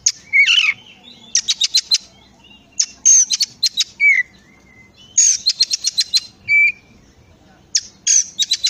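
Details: Oriental magpie-robin song used to prompt other magpie-robins to sing: loud bursts of varied phrases, with sweet slurred whistles and rapid runs of sharp, high ticking notes. Short quiet gaps separate the bursts, and the background is clean.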